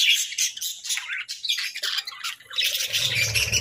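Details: Pet budgies in a playful mood give a choppy mix of sharp squawks and quick chirps in uneven bursts, with a low rumbling hum coming in toward the end.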